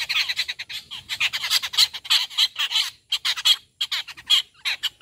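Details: Rufous treepie calling during a morning feeding at a home: a continuous run of harsh, rasping squawks with short gaps, the notes packed closely and repeated quickly for the whole stretch.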